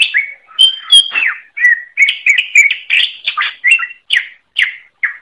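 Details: Greater green leafbird in full, vigorous song (gacor) on a tutor recording for songbirds: a dense, varied warble of whistled notes, quick trills and chirps packed close together, with sharp sliding notes mixed in, and no background noise.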